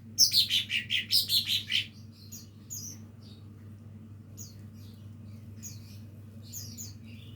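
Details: Young lesser green leafbird learning to sing: a quick run of about eight bright, high, down-slurred notes in under two seconds, then scattered faint chirps over a steady low hum.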